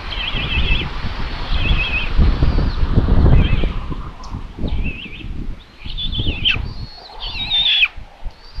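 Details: Common buzzard nest in Tiszalök, Hungary, on 27 May 2022 around 12.23, the mother delivering another chick as lunch. A run of quavering whistled squeals, some rising and falling, continues almost without pause over wind rumble.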